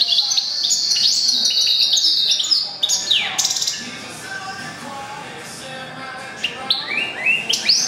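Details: Goldfinch × canary mule, born April 2011, delivering a fast twittering trill, then sharp swooping notes, a softer scratchy passage, and bright rising chirps toward the end.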